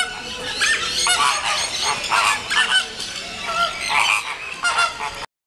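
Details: Hungry flamingo chicks being fed beside adults at Paris Zoo, Bois de Vincennes: a crowded din of honking and gabbling calls in uneven pulses, several clearer nasal notes rising above the flock, ending abruptly.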